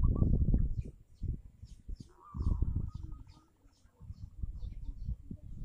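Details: Local zebra dove song played as a lure to prompt silent doves: one drawn-out, slightly wavering coo that breaks into quick pulsed notes, partly masked by loud low rumbling and bumping noise.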